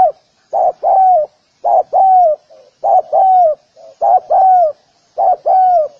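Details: Repeated spotted dove calls, each a brief clipped note then a drawn-out descending coo, in five regular phrases with soft faint notes between some of them.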